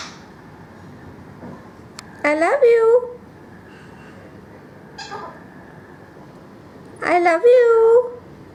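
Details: A pet male Indian ringneck parakeet learning to sing "Up above the world so high" from Twinkle Twinkle Little Star gives two drawn-out, voice-like sung phrases with a bending, wavering tone, about five seconds apart, with a softer note between in a quiet room.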